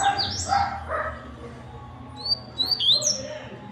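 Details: Double-collared seedeater with a fast, clipped song: a few loud, sharp, rising and falling high whistled notes in the latter half, preceded by lower harmonic squawks and constant low hum.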